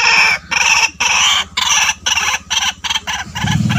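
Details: White-breasted waterhen calls used to lure birds: harsh, broad croaking bursts repeated about twice a second in an uneven rhythm, over a low droning hum.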